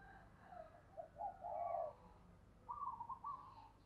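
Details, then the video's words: Spotted dove kept as a decoy, giving fast, urgent cooing to lure wild doves in; low hollow coos in short bursts, a cluster near the middle and another run near the end, over a steady low background hum. "Chim Cu Gáy Thúc, Chiêu Bổi Nhanh Về Cội - Chim Cu Mồi"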